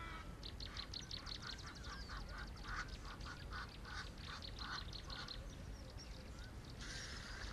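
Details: An African hawk-eagle in Laikipia County, Kenya, gives a quick series of about eighteen clear, yelping notes, three or four a second, over a steady low rumble of wind.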